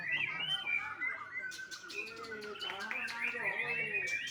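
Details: Young white-rumped shama bred on a Bali bird farm, delivering a rich sequence of clear whistles mixed with sharp ticking notes and rapid twittering, phrases flowing one into the next without pause.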